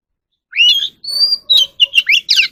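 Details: Song of an Oriental magpie-robin kept for voice training: upward-sweeping whistle, steady high note, then a rapid series of twisting, slurred phrases rising and falling.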